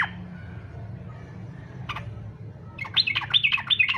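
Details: Yellow-vented bulbul singing in fighter style, meant as a lure to prompt other bulbuls to sing; after a quiet start and one brief note, a fast burst of bubbly, chattering notes closes the recording.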